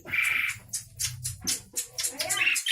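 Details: Javan pied starling from Java, a fussy, talkative bird, uttering a drawn-out grating squawk followed by short raspy chirps and a clipped whistled note against a low hum.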